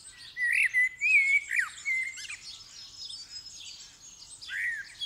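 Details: Dawn chorus singing by a Common blackbird just before daylight on December 8, 2019, recorded in stereo: a loud fluty slurred phrase that dips, then softer high squeaky trills and a final short warble.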